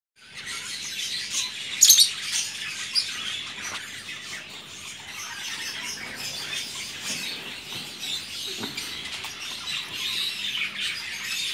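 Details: Rosy-faced lovebirds newly brought home keep up a steady, shrill, high chatter, with a sharp squawk near the start and scattered chirps throughout.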